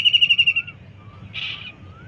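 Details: Kingfisher calling in a kitchen garden: a rapid run of shrill, harsh notes descending slightly over half a second, followed by a brief rasping burst, with faint low background hum.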